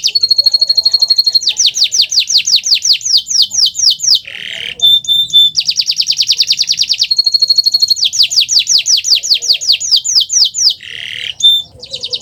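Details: Canary master recording to stimulate stalled canaries to sing: long, very fast trills alternating with falling sweeps, a buzzy rasp and clear ringing notes, the pattern heard twice.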